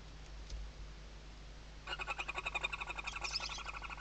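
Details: Western barn owl nest webcam at Riet Vell Nature Reserve, Ebro Delta, Spain, 2023 season, chicks under mother's wings: quiet start, then a fast, even string of buzzy twittering notes continuing to the end.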